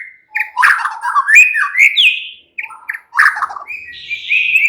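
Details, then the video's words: White-rumped shama, locally murai batu, delivering a relaxed song of fast warbled bursts, rising whistles and sharp chattering notes, broken by two short silences. "murai batu sudah ikut NYRECET GACOR dengan kicau Santai Murai batu ini"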